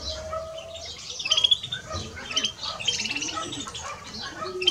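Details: Greenfinch pair, male and female, with busy high twitters, clipped chirps and short rattling runs, set over faint background cooing and a steady hum.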